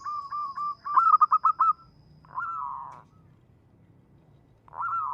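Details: Local zebra dove used to lure birds. A soft run of rolling coos leads into a crisp rapid burst of about six notes, then two drawn-out wavering coos separated by silence.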